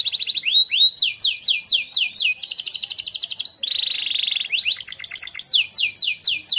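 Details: Training song from a singing-contest champion canary: quick descending slurred notes in rolled series, a buzzy sustained mid-pitched passage, then renewed fast trills, loud and continuous.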